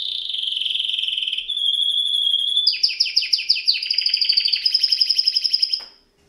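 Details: Canary in song: a steady buzzy trill held for several seconds, then a lively run of repeated sharp chirps and rattling notes that stops abruptly.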